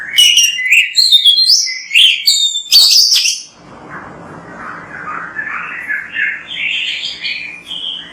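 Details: Oriental magpie-robin in full, energetic song used as a training recording: loud varied whistled phrases and sharp notes, then a softer run of warbling, rising and falling whistles.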